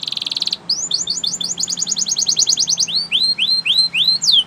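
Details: Belgian canary sings to prompt other birds to sing: a buzzy rattling tour, a short pause, then a fast string of chirpy notes that gives way to slower, rising, whistled phrases.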